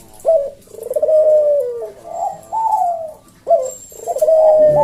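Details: Caged Javan collared dove giving its slow 'senggang' style 'kuk deruk' cooing, used as a tutor for cage birds: low hollow coos with a sharp rising start and long gently falling notes, phrases repeated with short pauses.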